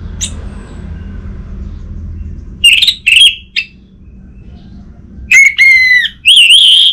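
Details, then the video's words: Orange-headed thrush, played to coax a non-singing captive bird into song: a single high note, a pair of loud ringing whistles with a short chip, a quiet gap, then longer clear whistled phrases over faint hum. "Siapa Sangka Burung ANIS MERAH Macetan Terpancing Gacor Didengarkan Kicauan Ini"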